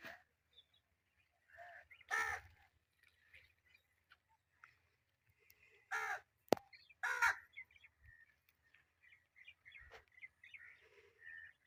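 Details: Pet Indian ringneck parakeet giving three loud, rasping, harsh squawks spaced several seconds apart, with softer chirps and scratchy sounds in between and a sharp click among them.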